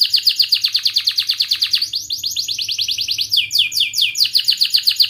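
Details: Canary singing to prompt young birds learning to sing: a rapid buzzing trill that jumps to a higher-pitched trill, then breaks into a run of sweeping down-slurred whistles, sharp and rolling throughout.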